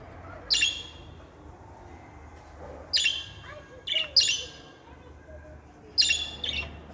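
A female budgerigar gives sharp, scratchy chirps, spaced a second or two apart.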